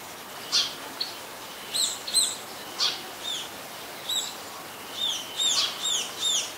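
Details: Scaly-breasted munias in Ubon Ratchathani, Thailand, on 26 March 2022 give thin, high, piping calls, singly or in quick pairs, about a dozen over several seconds, with a soft background hiss.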